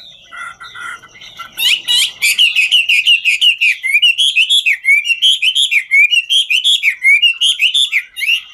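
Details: Chinese hwamei (Garrulax canorus), five-phase songster, singing while dancing: a loud, rich song of quick varied whistles and trills, nearly three notes a second, after a brief quieter opening.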